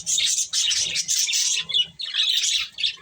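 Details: Budgerigars eating corn give loud, warbling chirp phrases of about half a second, broken by short gaps, with soft low pecking sounds.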